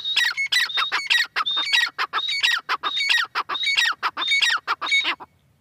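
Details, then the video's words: A female francolin calls in a steady, rasping series. Short whistled high tones are each followed by a lower descending note, about ninety notes a minute, with a faint low hum behind. "madi teetar ki awaz"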